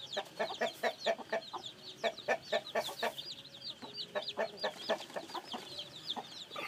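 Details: Newly hatched chicks peep in a dense chorus of thin, high, downward-slurred notes, while an adult chicken gives low, evenly spaced clucks about twice a second beneath them.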